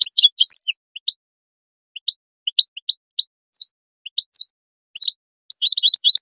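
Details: European goldfinch, calls meant to excite goldfinches into singing: a quick twittering burst, then sparse high single and double chirps with short pauses, ending in a rapid run of tinkling twitters; background silent.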